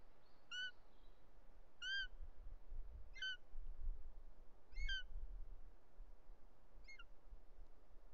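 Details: Bonelli's eagle in the Ports, Catalonia, on the afternoon of 2 July 2023, during a male's snake delivery to the nest and an intruding female, gives five short, ringing, down-slurred yelps one to two seconds apart over wind.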